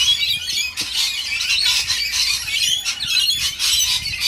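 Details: Rainbow lorikeets being fed, a flock screeching together in a dense, continuous wash of harsh, high squealing notes with brief dips in volume and no pauses.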